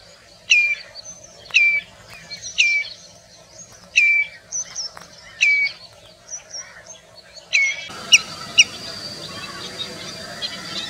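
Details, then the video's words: Common redshank from India calling with clear, falling whistled 'tew' notes about once a second, six in a row, amid light chirping of other birds, then a louder noisy background. "Sound of Common redshank bird"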